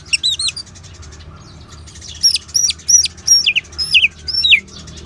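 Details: Orange-headed thrush ngeban song, meant to stimulate caged birds to sing: a short opening flourish, then a steady series of about six looping, down-slurred whistled phrases repeated roughly every half second.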